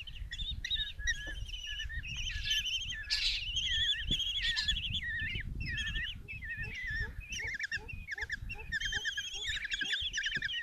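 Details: Begging Common Kestrel chicks at a nest box in Tiszalök, Hungary, on June 27, 2024, as the mother arrives with a mouse for her five young: a dense, continuous chorus of wavering, warbled squeals and trills, with faint clicks below.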